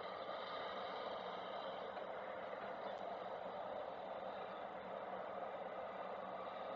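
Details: Continuous engine-like drone and broad hiss, with no animal calls heard.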